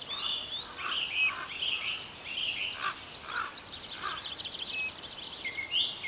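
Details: Young common ravens in the Côtes d'Armor, France: hoarse, rasping calls in short bursts at irregular intervals, over a busy chorus of high, thin songbird chirps and trills.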